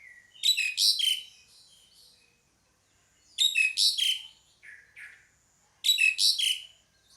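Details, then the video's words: Pied myna repeating short bursts of chattering, rasping notes roughly every two and a half seconds, each ending in a falling whistled tail, with a soft extra note between bursts. "SUARA PANGGILAN JALAK SUREN"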